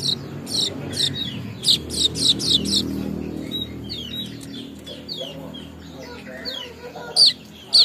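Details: A weaver from Bima, West Nusa Tenggara, learning its calls, gives a string of high, thin chirps and quick downward-sweeping notes, several a second in uneven bursts, over a faint low murmur.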